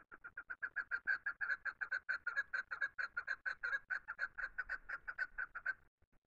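A chukar gives a fast, steady run of hoarse, mid-pitched clucking notes, about seven a second, for six seconds before falling silent.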